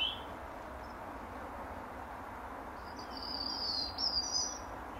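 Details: Garden robin on its favourite apple-tree branch at dusk, in the last hour of daylight, singing over its territory: a short burst of high, trilling, jumbled notes late in the clip after a lone high note, with low steady background noise.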